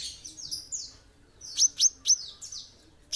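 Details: Olive-backed sunbird (kolibri ninja) in full song: a run of high, thin downslurred notes followed by four sharp, piercing chips about a quarter-second apart, then another falling slur and a final chip.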